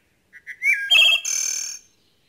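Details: A threatened wood thrush, recorded during habitat surveys in Centre-du-Québec, sings one phrase: two soft low notes, a clear fluty whistle, then a shimmering, ringing trill that fades out.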